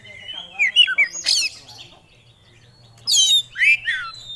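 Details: Actively singing kacer, an oriental magpie-robin, showing off its phrases: quick whistled notes and a harsh burst, a quiet gap, then another loud rasp and a rising whistled phrase.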